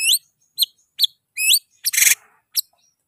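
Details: A white-rumped shama gives separate high, whistled notes that sweep upward, spaced about half a second apart. A short burst of harsh, noisy sound breaks in near the middle.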